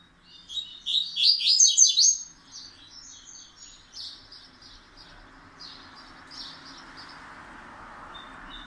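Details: Double-collared seedeater delivering its pancadão song, still in the process of firming up. A loud, fast string of high chirps is followed by softer, scattered high notes that trail on for several seconds over steady hiss.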